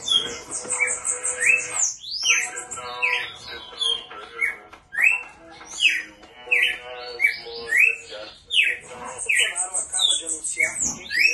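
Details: Double-collared seedeater in strong, continuous song: rapid runs of very high, thin notes alternate with sharp, loud downslurred whistles, repeated in quick phrases over a low background of music.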